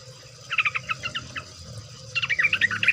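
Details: Sooty-headed bulbul (trucukan) lure song: a short string of evenly spaced chirps, then a quick bubbling, warbled flourish, over steady low rumble.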